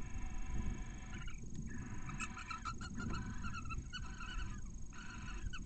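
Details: Barn owls inside a nest in Cabañeros National Park, Spain: a male arrives with a mouse and tries to copulate beside a chick hatched only hours earlier. Short nasal harmonic chirps come in quick clusters over a steady low rumble.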